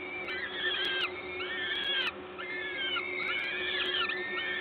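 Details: Peregrine falcons at a Gdańsk nest, Poland, on 14 May 2022 around 11:07 while being fed by an adult. Drawn-out, sliding wailing calls overlap in a near-continuous stream over background hum.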